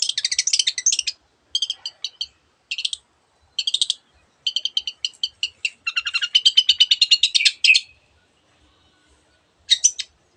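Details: Long-tailed shrike in gacor song with many borrowed bird sounds: rapid chattering bursts, a long rolling rattle midway, then a pause and a final short scratchy phrase.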